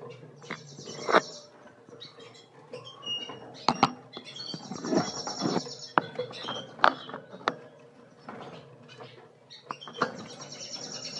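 A yellow-rumped siskin sings a busy, twittering finch song of thin high trills and chirps, with sharp clicks and taps throughout.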